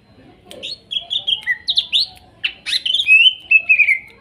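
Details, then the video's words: Greater green leafbird (cucak ijo) song from forest-caught birds of Kuningan, trotol and nopeng types, played as therapy for a bird that has stopped singing: chirpy whistled phrases, then a long descending trilled whistle, with faint lower chatter. "TERAPI CUCAK IJO MACET BUNYI BAHAN HUTAN KUNINGAN TROTOL DAN NOPENG"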